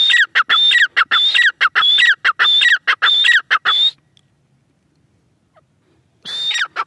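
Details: Grey francolin calling loudly in a rapid series of shrill, ringing phrases, each with a sharp whistled note and a falling squeal, for about four seconds; then a pause of two seconds before the calling resumes. No other sounds stand out.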